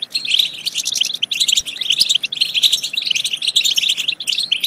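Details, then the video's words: European goldfinch in steady, unbroken chattering song of metallic twitters and rapid chirps; the recording is meant to stimulate goldfinches to sing and breed. "بتبتات خرافية في تحفيز الحسون على التغريد"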